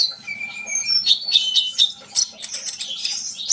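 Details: Sunbird in full song, aimed at getting other birds to sing: a thin level whistle, then a quick jumble of high chirps, sharp notes and brief twitters.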